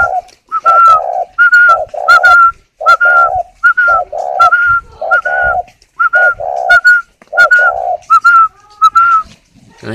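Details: Captive spotted dove at a breeding aviary in Ba Vì, Hanoi, Vietnam, cooing while sitting on eggs: low, rough coo phrases repeated in quick series, each followed by a clear, level whistled note, in a small indoor space.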